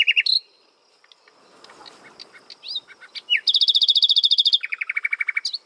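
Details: A common nightingale singing from a prickly pear cactus: loud, varied phrases, including a rapid high rattling trill and a lower repeated churring series, with brief whistles between.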